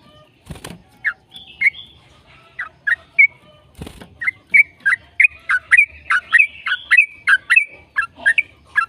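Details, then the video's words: Yellow-vented bulbul song, used as a lure for other bulbuls. After two loud thumps, the bird builds into an accelerating series of bright slurred whistles, some rising and some falling, ending in steady repeated phrases. "PANCINGAN TRUCUKAN AGAR BUNYI burung TRUCUKAN GACOR ropel"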